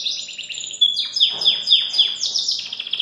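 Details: Belgian canary singing freely outside the cage: loud, clear, high song of steady tones and quick downward-sweeping notes repeated about four times a second, ending in rapid rolling trills.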